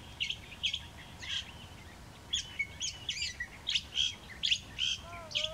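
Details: A California thrasher sings at Whitewater Preserve on 3 January 2017: a run of varied phrases about half a second apart, mixing harsh scratchy notes with a few clear whistles, over a quiet background.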